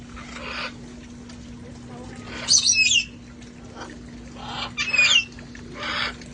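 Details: Sanctuary parrots having fun outdoors before the cold weather; muffled squawks alternate with two louder, grating screeches that carry whistled overtones, about a second or two apart.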